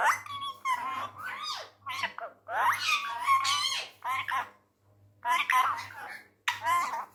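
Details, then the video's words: Angry tame male Indian ringneck parrot mimicking Urdu/Hindi speech indoors: a fast run of raspy, nasal, word-like syllables with rising and falling inflections, broken by brief pauses. "Amazing Ringneck Parrot Talking in URDU/Hindi"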